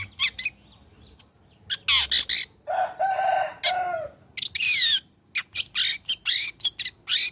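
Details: A long-tailed shrike, singing keenly after its moult to stir other shrikes: a varied mix of high whistled sweeps, harsh scratchy bursts and a longer grating, buzzy stretch in the middle.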